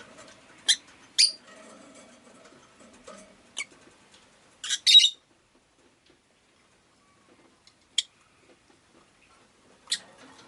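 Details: Rosy-faced lovebird (Agapornis roseicollis) giving sharp, harsh chirps, singly and in quick pairs, with long quiet gaps between bursts and a faint low murmur underneath.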